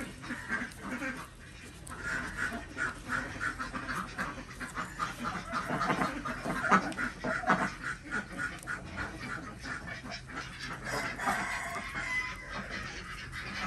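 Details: Desi ducks on a village duck farm in Andhra Pradesh, heard during morning egg collection: uneven, overlapping nasal quacks from a group, rising and falling over about fourteen seconds.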